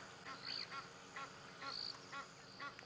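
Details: Egyptian geese at Buffleshoek dam, Djuma Game Reserve, South Africa, on 18 February 2017 give hoarse, honking alarm calls about twice a second as lions arrive to drink, with brief high whistles from alarmed Blacksmith Lapwings and Three-banded Plovers.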